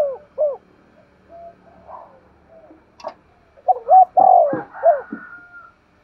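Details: Spotted dove in energetic 'thúc gù' coo. A short clipped phrase opens, then soft murmurs and a click, then a fuller phrase of stacked hoots ending in a falling coo.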